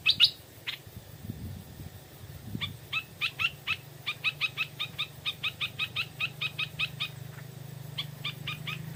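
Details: Stripe-throated bulbul in the evening, a wild bird drawn in by a decoy: long run of short, bright repeated notes, about three a second, after an opening sharp note, over a steady low hum.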